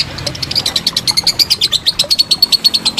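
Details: Short stretch of a lovebird's long ngekek trill, recorded as master material for contest birds: quick, evenly spaced high chirping notes, about seven per second.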